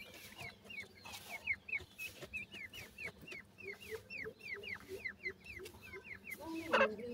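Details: Grey francolin chicks in India, called gora teetar, give a regular run of clear, high, upward-flicking peeps about three each second, with soft lower chirps and a brief scuffling noise near the end.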